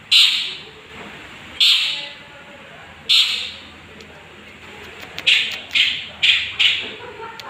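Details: Harsh grating squawks from a young long-tailed shrike, a lure recording meant to provoke rivals. Three long rasps about 1.5 seconds apart, then four shorter, quicker scratchy notes in a tight run.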